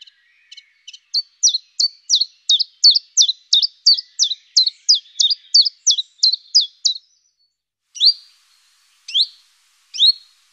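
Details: A common chiffchaff sings a long series of about seventeen sharp, high, downward-sliding notes at nearly three per second, starting softly and growing louder, then stops and gives three separate rising notes about a second apart.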